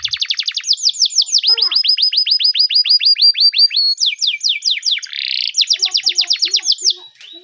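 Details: Timbrado canary training song: loud continuous sequence of rapid descending high notes in changing tours, a short harsh burst near the end, then more fast repeated notes.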